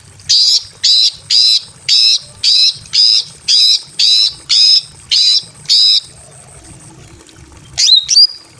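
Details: Female greater green leafbird in breeding condition in a simple aviary calling a male: ten harsh, buzzy notes about every half second, a pause, then one sharp upswept chirp.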